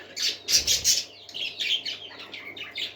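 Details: Parakeets singing together: a loud cluster of shrill chirps at the start, followed by softer, lower warbling twitters and short whistled notes.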